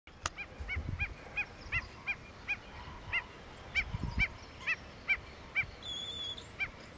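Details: Lesser yellowlegs at Porto Jofre in the Pantanal, Brazil, 25 September 2013: a long series of short clipped whistled notes repeated about every third of a second, over low rumbling background noise and faint high insect hiss.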